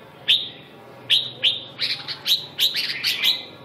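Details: Red-whiskered bulbul of the phong sơn, mí đỏ, rơm tê giác, siêu ché sort, sounding sharp whistled chirps, first spaced out, then packed into a quicker warbling cluster of ringing notes.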